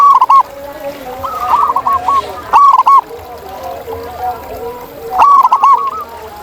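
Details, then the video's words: Zebra doves in nature give three loud, trilling coo phrases at intervals of about two and a half seconds. Other doves coo softly and overlap throughout. "Masteran Kutut di Alam Ini Bikin Burung Kamu Kaya Bersuara Emas!"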